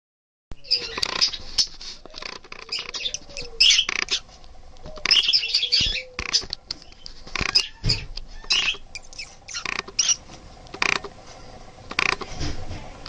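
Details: Budgerigar laying an egg gives bursts of scratchy, high chirps and chatter, with some rustling and scuffling between calls.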